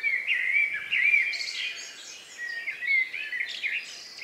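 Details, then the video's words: Last birds of the day singing in the countryside around 9 p.m. on May 2, 2020, shortly before dark. Clear whistled phrases rise and fall in quick succession, mixed with thin high twittering from other singers. "relax sound of bird in the evening"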